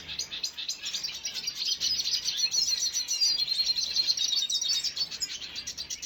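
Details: Red siskin, 5 June 2022, delivers a dense, rapid twitter of high chirps, starting softer and growing louder through the middle before easing slightly at the close.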